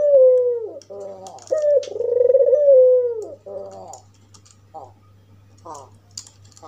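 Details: White albino African collared dove with red eyes, giving a provoking call toward other doves: a couple of rolling coos with rough chattering notes, fading into short, faint raspy bursts and light background clicks.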